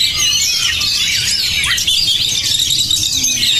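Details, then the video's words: Brief burst of Oriental magpie-robin (kacer) song, energetic and unbroken: crowded high chirps and scratchy trills with one quick downward-sliding note. "menjanjikan kacer beremosi tinggi dan bermental baja"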